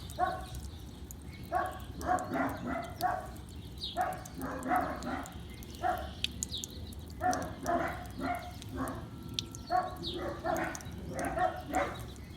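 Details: A male blue monk (Quaker) parakeet, a pet about a year old, gives harsh, chattering calls in short repeated bursts while bathing outdoors under a low-running garden hose.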